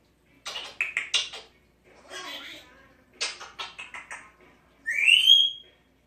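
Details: A 6-year-old female Congo African grey parrot gives a run of short clicks and sneeze-like bursts, a breathy cough, a talking-like chatter, then a rising whistle.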